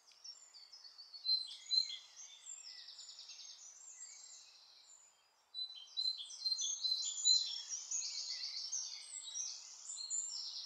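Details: White wagtail recorded at the Sterrebos in Sint-Michielsgestel on 14 May 2015, giving quiet, fast, high-pitched twittering and short trills, with a brief pause midway before the chatter resumes more strongly.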